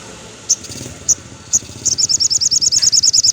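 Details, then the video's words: Crimson sunbird (sogon) singing in the afternoon: a few spaced, sharp high chips, then a fast, even run of high piercing notes repeated several times a second. "suara sogon syahdu sore hari"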